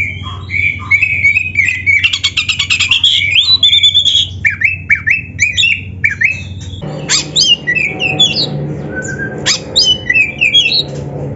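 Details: Oriental magpie-robin (kacer) singing energetically for training captive birds to sing; rapid chattering, rattling notes and varied whistled slurs, a sudden cut to another stretch of bright, looping whistles over a background hum.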